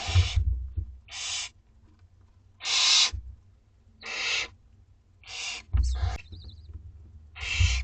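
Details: Barn Owlets two weeks old beg for food in a school garden nest, sending out broad, rasping screeches at irregular intervals, with thumps, scuffling and a brief squeaky note.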